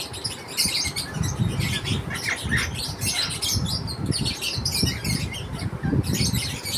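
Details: Several lovebirds chirping during food time, overlapping sharp squeaky notes and harsh little squawks in a constant busy chatter, with a low rumble of background noise beneath.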